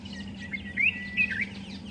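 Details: Black-headed or yellow-vented bulbul, just landed in a tree, giving an alarm call on noticing a young African rock python among weaver bird nests at sunrise; bright chirping notes with a steady low hum beneath.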